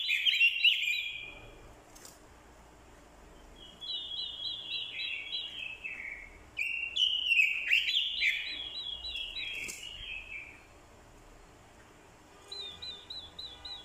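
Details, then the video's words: Competitive song of an orange-headed thrush decoy, urged on by a female's call. Strong warbling bursts alternate with quiet gaps, each phrase opening with a run of quick repeated looping notes that tumble downward. "Chim Quế lâm mồi, hót đấu cực hay. kèm tiếng quế lâm mái, kích trống hót đấu hay."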